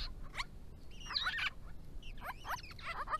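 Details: Family group of grey-crowned babblers calling to each other while drinking and bathing in summer heat, Victoria; clusters of scratchy, squeaky downslurred notes, one burst around a second in, others near two and a half seconds.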